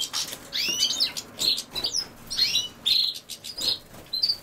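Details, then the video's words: Goldfinch singing beside common sowthistle: a fast run of bright, high twittering notes and quick slurred whistles, delivered in short clustered bursts with little background noise. "Carduelis Carduelis"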